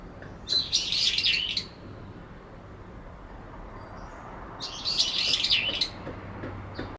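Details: Late September, cherry tree: a resident brown-eared bulbul chases off a clear-voiced rival and calls over it to block its song. Two shrill, squealing, jumbled bursts of roughly a second each, separated by a three-second quiet gap.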